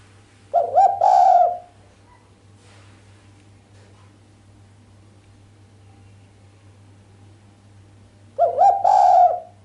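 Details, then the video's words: Female island collared dove cooing sharply without the final 'kuk', a call meant to rouse the male; two bursts of rolling, wavering mid-pitched coos about seven seconds apart, separated by near silence and a faint steady hum. "Suara derkuku betina mbekur tajam tanpa kuk bikin sang jantan greget"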